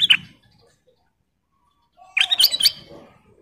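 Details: Female sooty-headed bulbul in active song: a short chirp opens, then after a pause a rapid burst of sharp, bubbly whistled notes lasting under a second, with silence between.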